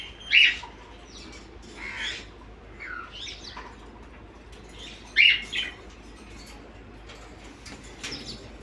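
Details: Morning parrots giving a few loud, harsh squawks separated by several seconds, with softer chirps and wing flapping between them.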